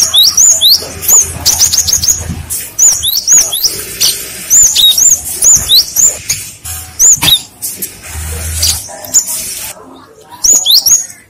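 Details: Cinereous tit lure song that sets other tits answering at once: high, thin whistled notes with sharp downward sweeps, given in quick pairs and short bursts across the clip over a low steady hum.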